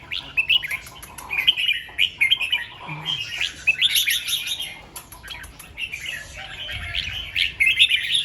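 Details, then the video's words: Red-whiskered bulbul in morning song, performing 'double 2-3' and 'rik' phrasing: repeated chirpy warbling bursts separated by brief gaps, lively and bright throughout, with faint background chirps. "เสียงนกกรงหัวจุก ร้องเบิ้ล2-3 ร้องริก"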